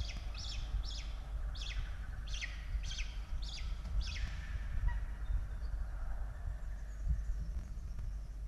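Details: Peregrine falcons at a nest in Australia, evening feeding of the chicks, 16 October 2022: a run of seven quick descending high chirps in the first four seconds, then quieter calls under constant low hum.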